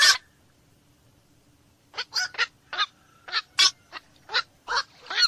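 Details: Black-crowned night heron (koak malam). One loud squawk, a pause of nearly two seconds, then a quick run of short, hoarse barks about every third of a second.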